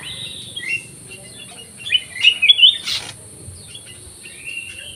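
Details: Black-crested bulbul in an aviary giving a burst of loud, clear warbled whistles mid-clip, with softer notes around it and one sharp click.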